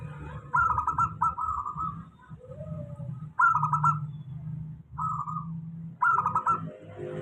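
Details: Steady lure song of a local zebra dove for reluctant singers: five bubbling, pulsed coo phrases in quick succession over a constant low hum.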